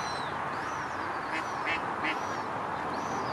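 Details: One of three Garganey at Stubbers Green, present from 30 July to 4 August 2018, gives three short, dry, crackling calls in quick succession, with thin whistles from other birds over steady background hiss.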